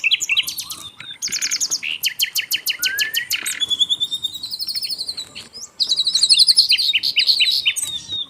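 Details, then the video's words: Vigorous Asian brown flycatcher song from a masteran recording: a rapid series of very high clicks and ticks, then thin, sweeping whistles and dense, high, twittering phrases repeated several times a second. "MASTERAN BURUNG SIKATAN LONDO GACOR"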